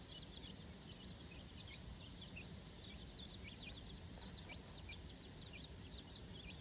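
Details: Four-day-old chickens exploring fresh grass with their mother for the first time; bright high chirps from several chicks, short notes that drop in pitch, repeated irregularly over a low continuous rumble.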